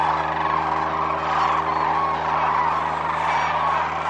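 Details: Wintering sandhill cranes by the thousands lift off at dawn-time morning fly-off, Whitewater Draw Wildlife Area near Bisbee, Arizona; unbroken wall of overlapping trilled calls, a few individual notes rising above the mass, steady low hum underneath.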